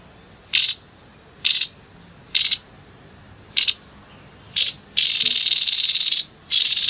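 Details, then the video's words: Grey-headed babbler in 'nembak kasar' style, short high buzzy notes repeated roughly once a second, then breaking into long, dry, rattling pulsed trills. "TEPUS KEPALA ABU ABU NEMBAK KASAR"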